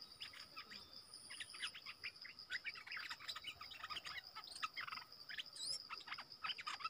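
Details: Streaked bulbul family, a wild forest bird, calling almost continuously. Many quick, sharp chirps and brief whistled notes tumble together, with one rising whistle near the end, over a constant high insect buzz.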